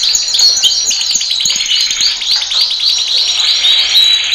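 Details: Canary training song, male: a steady stream of arched chirps about three per second, followed by short bright whistles near the end.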